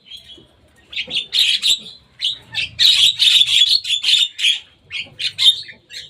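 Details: Javan myna that came to play on top of a cage, giving loud, harsh, scratchy chatter in dense bursts, several per second, with brief pauses between the runs.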